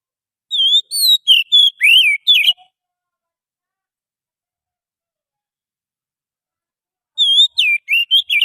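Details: Oriental magpie-robin from the wild forest, played as a trapping lure: a rapid burst of varied whistles and sharp sweeping notes, a long silent pause, then the same whistled phrase sequence begins again.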